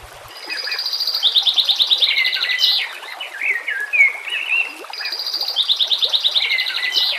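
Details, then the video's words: White-rumped shama singing on a training master recording mixed with nature sounds: rapid high trilled bursts followed by varied warbling whistles, the trill returning after about five seconds. "Dengan CEPAT murai batu AKAN EMOSI dan IKUT GACOR dengan masteran murai batu ini"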